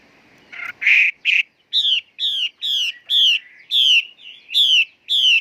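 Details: Female Chinese hwamei singing: a few rough introductory notes, then a steady series of loud, clear, downward-slurred whistled notes with rich overtones, about two per second, against a quiet background.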